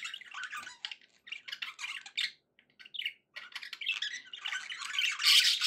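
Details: Pet budgies sounding happy, giving a busy stream of scratchy, warbling chirps and squeaks with short pauses, rising to a louder burst of dense chatter near the end.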